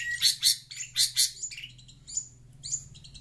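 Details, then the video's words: Chatty long-tailed shrike answering sound from a phone with four loud, rasping chatter bursts in quick pairs, then quieter scratchy notes and a few thin whistles, over a faint low hum. "Burung pentet cerewet dengar suara hp"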